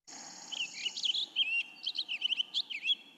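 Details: A male Cassin's finch (Haemorhous cassinii) sings a rapid, slurred warble of high, jumbled notes, so quick they are hard to tell apart, running together for about three seconds with a faint high hiss behind.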